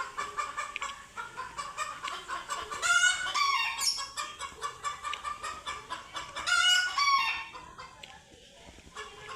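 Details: Chickens frightened by cats seen for the first time produce dense, fast clucking with two loud, rising screeching bursts standing out above it.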